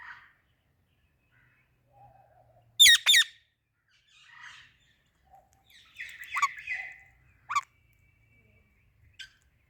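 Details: Parakeets, an Indian ringneck and an Alexandrine parrot making happy sounds together in the evening, give loud, harsh, screechy squawks in short bursts, with softer chattering notes between the calls.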